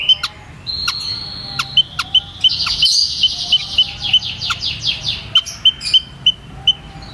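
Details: White-headed munia uttering steady, high, piping call notes in a regular series. Dry clicks and a burst of rushing hiss sound in the middle.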